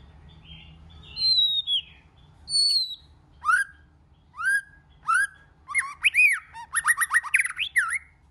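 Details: White-rumped shama singing in many voices. High thin whistles open the phrase, then swooping rising notes repeat about once a second. These build into a fast, tumbling run of varied whistles and chirps.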